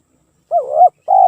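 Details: Spotted dove song, played as a lure: one mellow coo that dips then swells, then a second steady coo cut short, over a silent background.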